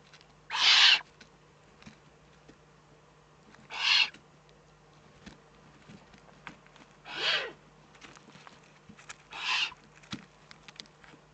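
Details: Eurasian eagle-owl recorded in the Eifel on 3 May 2014, giving four rasping hisses spread over eleven seconds, the first loudest, with light scratching and clicking noises in the gaps.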